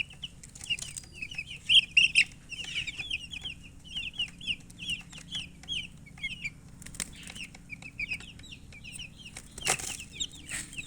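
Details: Chicken chirps: a quick chain of thin, high peeps strung closely together over the first four seconds, then sparser scattered peeps with brief clicks and knocks against a quiet background.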